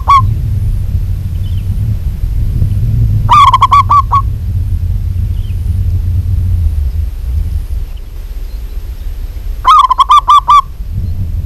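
A zebra dove gives quick bursts of clipped, stuttering coos, two main bursts about six seconds apart, over a steady low rumble.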